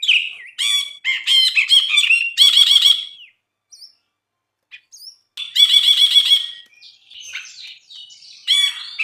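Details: Brinji bulbul singing vigorously: bursts of rapid, buzzy, harmonic chattering notes and sharp trills, a short gap with a few soft whistles, then another dense chattering burst and scattered squeaky notes.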